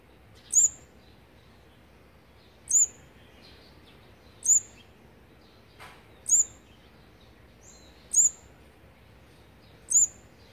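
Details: Olive-backed sunbird on feeding day 18 of its fourth brood, 8 March 2020: a very high, thin, sharp note repeated about every two seconds, six times in all, over a faint steady hiss.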